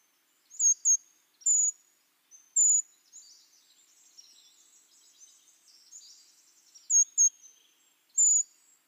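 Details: Brown creeper calls from an archival library recording: very high, thin, sharp notes, often in quick pairs, with longer single seee notes near 1.5, 2.6 and 8.2 seconds, over faint high twittering in the background.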